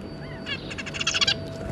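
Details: Zebra finch family, a pair with their three juveniles, recorded 2 August 2022: a quick run of about eight nasal, buzzy, harmonic-rich notes lasting under a second, over a steady low electrical hum.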